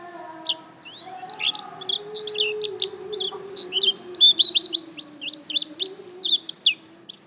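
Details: Lively white-eye song, the 'gacor lasroll' style: continuous chatter of high, thin, rising and falling chirps, quickening into dense clusters in the second half, over a faint low droning background.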